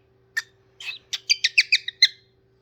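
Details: Singing parrot giving a single sharp note, a buzzy phrase, then a fast string of six clear two-toned chirps ending in a bright whistle, over a low steady hum.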